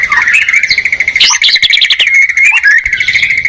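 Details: White-rumped shama song duel between a bird from Medan and one from Borneo: a steady rapid trill of repeated notes runs throughout, overlaid with bright, quick whistled phrases and sharp high chips.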